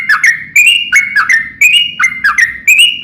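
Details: Sooty-headed bulbul song in the long rapid style, used to set other bulbuls singing in reply: short bubbly phrases of two or three slurred whistles, repeated roughly twice per second with a faint low hum beneath.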